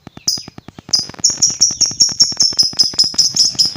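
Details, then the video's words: Lovebird calling to provoke rival lovebirds: a few scattered notes, then sharp, thin high chirps repeated a little over twice a second, faint ticking in the background. "LOVEBIRD APAPUN BAKAL EMOSI DENGAR SUARA INI"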